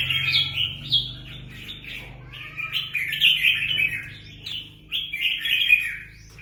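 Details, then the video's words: Red-whiskered bulbuls, free-ranging, in a fight in Quang Nam, Vietnam: bright warbled phrases in rapid succession, each a quick rising-falling slur, overlapping and jostling almost without pause, with a low steady hum underneath. "Đại chiến chào mào nuôi thả"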